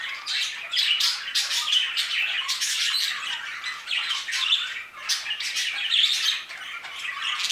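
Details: Budgerigars in an aviary: a dense, continuous chatter of many harsh squawks and scratchy chirps overlapping throughout, with louder bursts roughly every half second and no other clear sounds.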